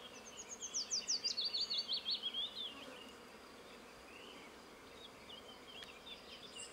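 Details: Willow warbler (Phylloscopus trochilus) in Bojná, Topoľčany, Slovakia, singing one sweet, liquid phrase of about a dozen notes that cascades down in pitch, with a few faint chirps from other birds over a steady hiss.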